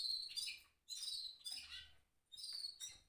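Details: High chirping phrases from a caged goldfinch mule, three quick clusters of sharp, slightly buzzy twitters with short pauses between them.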